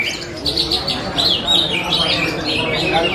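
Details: Greater green leafbird, a contest champion bought at a market two months earlier, giving a rapid run of slurred, rising and falling whistled notes in a continuous warbling phrase, with faint background chatter.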